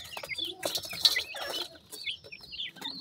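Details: Mikado pheasant chicks with their mother at feed, giving a few thin, sliding peeps amid loud scratchy rustles and taps.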